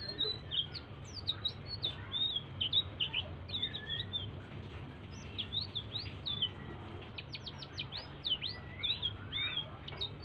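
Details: Blue-throated bee-eater giving a soft, continuous song meant as a lure to set other birds singing: rapid high chirps, short rising and falling whistled sweeps and quick upward flicks, steady throughout, over a low background hum.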